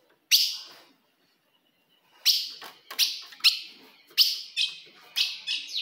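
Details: Female ultramarine grosbeak calling to provoke a male: a single sharp chip, a pause of almost two seconds, then a quicker run of about eight sharp, bright chips.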